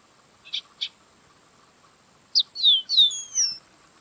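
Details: Yellow-winged blackbird singing: two short clicking notes, then a quick series of high, slurred whistles sliding downward, with a faint steady high hiss in the background.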